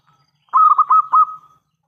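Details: Loud local Zebra Dove calling as a lure for other doves to answer: one short phrase of five or six rapid, rounded coos on a level pitch, fading into a brief sustained tone. Quiet otherwise.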